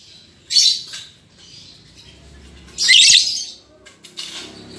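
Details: A lovebird pair newly put together in a cage, albino MM male and lutino MM female, gives two loud scratchy shrieks about two seconds apart amid softer chatter and background noise.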